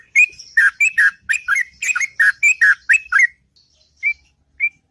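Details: Sweet, long morning song of a sooty-headed bulbul: fast chains of liquid, warbled notes for about three seconds, followed by two isolated rising whistles after a pause.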